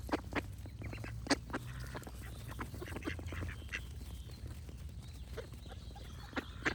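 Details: Ducks quacking in short, harsh bursts scattered irregularly through the recording, over a steady low rumble of background noise.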